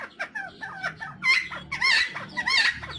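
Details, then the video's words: Helmeted friarbird, called cucak timor or koak kaok, from Nusa Tenggara, on a lure track: harsh, raucous, tumbling notes with nasal squawks and gurgling slurs, louder bursts roughly every half second, some quieter chatter between them. "CUCAK TIMOR , ( Philemon buceroides) atau koak kaok , masteran versi panjang"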